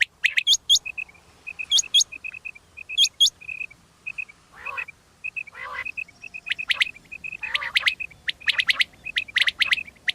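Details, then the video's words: Quail calling in the morning in Pakistan, a sound used for hunting, with quick bright chirps, sharp rising whistled notes, and a few harsh squawks in a busy, irregular chatter. "quail sound for morning"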